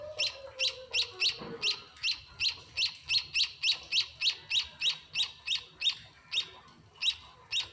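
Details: Munia (emprit) chicks begging while being fed at a house: steady series of short sharp high chirps, roughly three per second, repeated throughout with little else heard.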